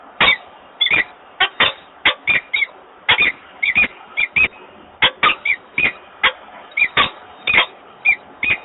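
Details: Peregrine falcon male in Włocławek, Poland, calling on 28 February 2022 to draw the female to the nest, an invitation she ignores. Rapid series of sharp, scratchy chips and squeaky notes, roughly two or three per second.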